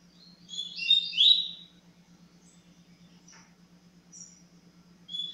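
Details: Double-collared Seedeater, or coleiro, in tui tui zero zero song style: one fast, high, twittering phrase near the start, then scattered thin faint notes over a constant low hum, with a short chirp at the end.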